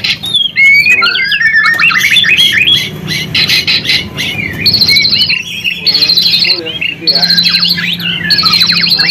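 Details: Energetic white-rumped shama song played as a lure to revive other shamas' spirit: a varied jumble of whistles and chips, then a high buzzy trill repeated four times about every second and a half, over a faint low hum.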